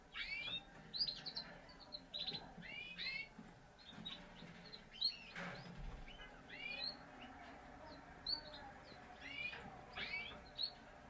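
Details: Parisian frill canary from a Spanish champion breeder, singing: rapid, bright, rising and falling chirped phrases in short bursts spread across the recording, with quiet room hum behind them.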